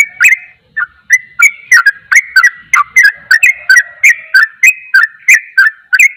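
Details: Sooty-headed bulbul, rapid song that provokes other bulbuls: fast, chattering sequence of whistled notes swinging up and down, close to three each second, with clicky attacks and only a short gap near the start.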